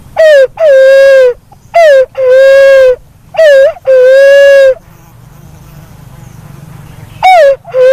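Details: A black-naped fruit dove repeats a short falling note followed by a long, even hoot three times in quick succession. After a low rumbling gap, a fourth phrase begins.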